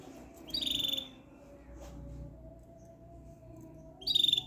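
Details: Two matching canary trills, high, rapid and buzzy, each about half a second long, separated by roughly three seconds of low background noise.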